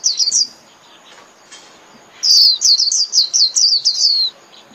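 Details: Flock-calling song of a white-eye: a short burst of high notes, a quiet gap, then a rapid string of about ten sharp, falling whistled slurs.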